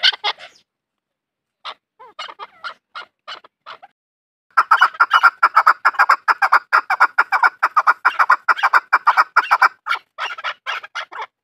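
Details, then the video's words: A farmed chukar opens with a few scattered clucks, then after a pause breaks into a rapid rhythmic run of chuk notes, over two per second, steady and insistent. "Farmi chakor francolin voice |chakor ki awaaz | chakor farmi"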